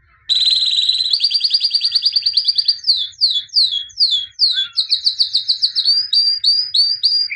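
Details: A white (albino) canary sings a fast, bright song: a rapid rattling trill, then runs of quick downslurred notes and repeated chirping phrases, all high-pitched.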